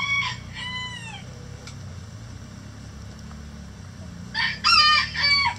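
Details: Mixed-breed laying hens in the coop. Two ringing squawks drop in pitch, a long quiet gap follows, then a loud cluster of rapid cackles closes out.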